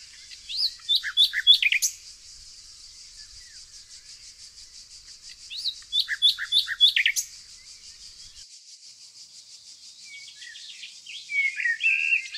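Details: Nightingale singing in the green nature of Tonekabon, Mazandaran province, northern Iran, among evergreen forests and yellow flowers. Two bursts of rapid repeated notes and quick trills, separated by a quiet pause, over a steady high background hiss.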